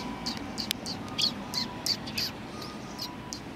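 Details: Several sparrows outside a cultural hall on 7 February 2020, greeting arrivals: soft, high chirps in an uneven run with a few louder notes mid-way, and a faint steady hum beneath.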